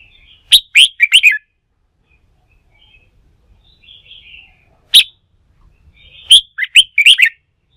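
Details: Newly wild-caught red-whiskered bulbul, stirred up to sing in training for song contests: three bursts of short, sharp, chirpy phrases with quick rising and falling notes, separated by silences of several seconds and a faint warble in between.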